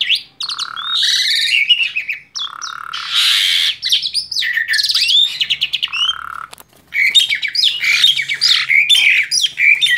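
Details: A male Asian pied starling gives its agitated "emotional" call, a loud, fast jumble of harsh squawks, rasping bursts and bright whistled notes with only brief pauses.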